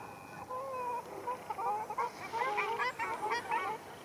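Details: During a fight among ruddy shelducks in Arucas, Gran Canaria, 13 February 2021, a couple of drawn-out, level nasal tones give way to a rapid, chattering burst of short honks.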